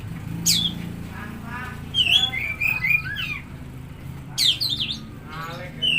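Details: Oriental magpie-robin song used to stimulate a silent or stressed bird: bright whistled notes sweeping down and up, given in bursts with short pauses between them. A low background hum runs throughout.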